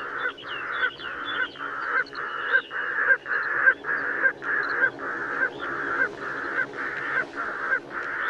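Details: Pectoral sandpiper (Calidris melanotos), song.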